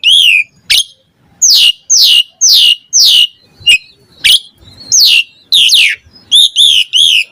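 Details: Lively Asian pied starling song used to stimulate unwilling starlings to sing; a string of loud, downward-sweeping whistles separated by short gaps, ending in three quick bright notes.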